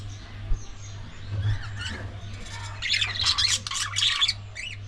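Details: Pet budgerigars chattering with bursts of bright, buzzy warbles and squawks, loudest in the second half, over a low steady hum.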